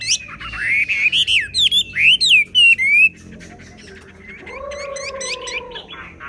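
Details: Chinese hwamei song in xòe style. Loud, slurred, wavering whistles mix with sharp descending chips for about three seconds, followed by quieter notes and a steady low humming tone.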